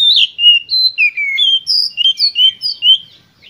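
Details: Oriental magpie-robin giving an energetic lure song aimed at provoking rival birds to sing. A continuous stream of clear whistled notes, falling slurs and sweet rising phrases follow one another with barely a pause.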